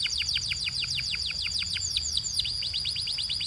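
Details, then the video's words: Canary song offered for training and coaching caged canaries: a rapid trill of downward-sweeping whistled notes, roughly six per second, with a brief pause mid-phrase, over a steady high ringing tone and a faint low hum. "DO THIS and your BELGIAN CANARY will SING A LOT!"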